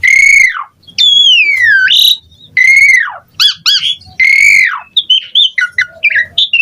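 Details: Asian pied starling in loud varied song for training other birds, long whistles falling steeply in pitch, repeated about every one and a half seconds, between bursts of quick chattering notes.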